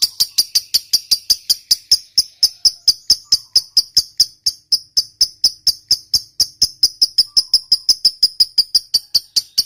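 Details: Long ngekek from a fighter lovebird, a trill meant to stir other lovebirds into calling back; shrill kek notes rattle on nonstop about four to five per second for nearly ten seconds.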